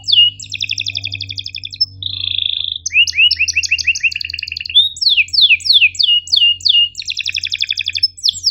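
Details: Canary tutor song, long energetic 'cuit ngerol' style for teaching reluctant or young canaries: sharp high buzzy trills, a steady whistled note, then rapid rising chirp series and rattling trills in quick succession.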